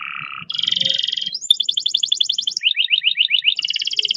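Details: Canary delivering a long, fast roll: a chain of high rapid trills, each held about a second before switching abruptly to a new pitch, buzzing and rattling without a break.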